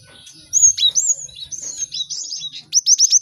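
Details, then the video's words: Lively cinereous tit song for training birds to learn quickly: clear slurred whistles rising and falling, scattered chirps, ending in four quick repeated high notes. "Pacingan gelatik batu ramai untuk maksimalkan burung belajar cepat bunyi"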